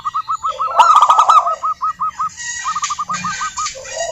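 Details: Lively local wild zebra dove song, meant to draw other doves into singing: a long even string of short, clipped cooing notes broken by a brief rattling flurry, with faint high chatter behind.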